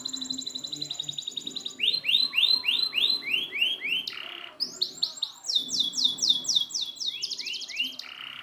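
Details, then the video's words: Singing canary recorded to train non-singing canaries: a rapid high trill, then bright downward-swooping notes in a regular series, a brief hissy burst, and more swooping phrases with quick rolls. "Masteran burung kenari macet"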